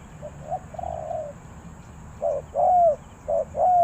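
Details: Spotted dove singing in the three-coo 'kuk hoi' style, Ninh Thuận, Vietnam: faint soft coos at first, then loud short-long pairs with smooth downward-bending long notes.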